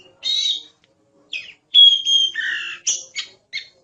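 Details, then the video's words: Oriental magpie-robin singing a 'gacor' song, used as a tutor recording for songbirds: bursts of rich whistles, a long clear whistled note near the middle, then buzzy, harsh phrases and short sharp notes separated by brief pauses. "Suara Burung Kacer | Gacor"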